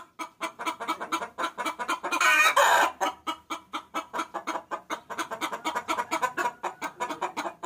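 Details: Lure call of a hen summoning the rooster: rapid, even clucking around three per second throughout, interrupted once by a loud, noisy cackling burst.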